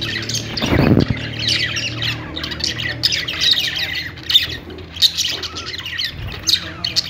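Budgerigars warble in a steady stream of scratchy chirps, clicks and squawks, mostly high-pitched, with a brief low thump near the start.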